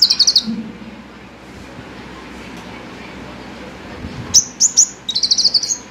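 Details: Five-coloured sunbird, a cage bird, delivers short, very high rapid trills of repeated chirps, a pause of quiet hiss, then a few sharp notes and another fast trill.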